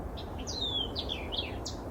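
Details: White-eyed Vireo singing beside a boardwalk at Sawgrass Lake Park near St Petersburg, Florida, where it seems to stay: one quick, emphatic phrase of sharp chips and slurred whistles, high and jumbled, over a steady low background rumble.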